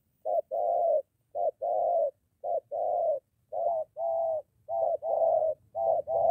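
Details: Spotted dove near a home in Gia Lai, Vietnam, a molting decoy bird facing a wild dove. Clear mellow coos delivered as a quick short note followed by a drawn-out hoot, repeated regularly, with faint low background rumble.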